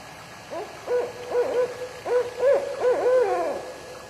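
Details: Owl gives a rhythmic run of low, resonant hoots, several sliding up and down in pitch, over faint steady hiss; its call follows the rhythm "I cook today, I'll cook tomorrow" and is said to have been used as a night signal for freedom seekers.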